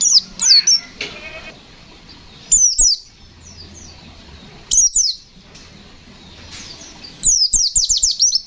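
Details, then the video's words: Pleci (white-eye) singing ngalas nembak style in separate bursts of quick, high descending notes, ending in a fast run of repeated chirps; quiet gaps between phrases. "Suara burung pleci Gacor fighter Ngalas nembak, Sobek sobek"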